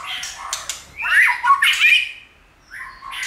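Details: White-rumped shama giving harsh, squawky churring notes mixed with brief rough whistles, as part of song training meant to excite other shamas.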